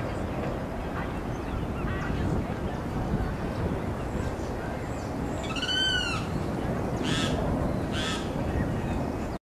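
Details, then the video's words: A Limpkin gives one loud, ringing, arched wail near the middle, then two harsh rasping notes, over a steady low rumble of background noise. "Caraú voz/Limpkin voice"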